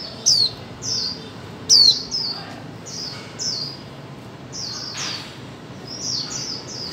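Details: Female white-eye calling to spur silent birds into song. Two piercing down-slurred notes come early, then a run of softer high descending chirps continues throughout.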